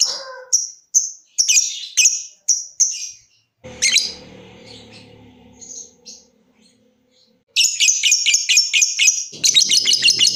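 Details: Lovebird giving separate high ticking chirps, a pause filled with low murmuring noise, then bursts of fast chattering trill, the ngetik-to-ngekek pattern of a singing cage bird.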